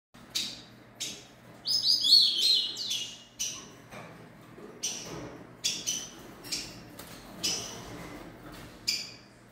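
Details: Young rufous-collared sparrow, three months old, singing: sharp high chips repeated roughly every second, with a brief, tangled, warbling phrase of high notes in between.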